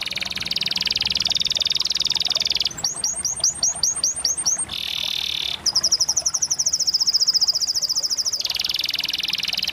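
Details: Canary song moving from a steady buzzy trill into quick, sharp down-slurred whistles, a short deeper rolled phrase, then a fast high, bright trill.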